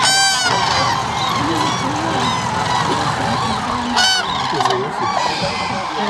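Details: Common Cranes moving into the water to roost at Agamon Hula in the Hula Valley, Israel, during a guided tour. A dense, continuous chorus of many trumpeting calls, with brief broadband crackling bursts near the start and around four seconds.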